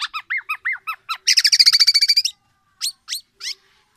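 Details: Black-naped oriole, tame and singing vigorously: a string of arched whistled chirps, then a fast rattling trill of rapid high notes, followed by three separate sharp calls with pauses between.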